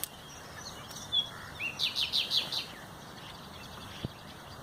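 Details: Common nightingale song, 30 April 2021: a brief whistle, then a rhythmic string of five loud, repeated chirping notes, followed by quiet; one dull knock near the end.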